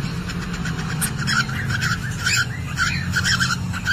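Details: Parrotlets (Indonesian "falk") recorded by CCTV inside a nest box while the hen is laying, sound meant to bring other parrotlets into breeding condition: short, bright chattering chirps, about two a second, over a steady low engine- or fan-like hum.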